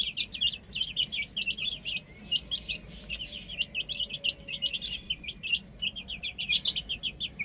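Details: Baby chickens playing on a rooftop; many chicks peep together in a steady stream of quick, high, arched cheeps with barely a pause.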